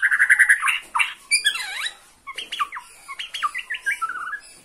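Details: White-rumped shama from Borneo singing emotionally while it watches a rival: a rapid stuttered trill, then swooping downward-curving whistles and a series of sharp broken chattering phrases with brief gaps.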